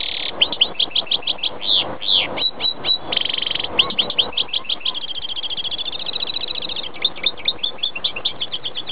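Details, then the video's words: Goldfinch × greenfinch hybrid in full song, a fast twittering run of chirps and liquid notes, a buzzy nasal wheeze, then a long rattling trill before more bright tweets. "Mixto jilguero pega verderon"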